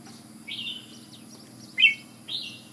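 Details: Red-whiskered bulbul from Ubon, Thailand: three soft, separate whistled notes, each sliding downward, over a quiet background hum.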